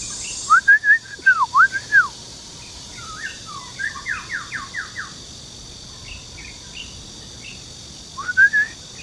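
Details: Male white-rumped shama song, Luodishan Nature Park, Kaohsiung, Taiwan, 13 June 2018: loud ringing upslurred whistles in pairs, a rapid series of falling notes, a pause, then another bright whistled phrase, with insects buzzing behind.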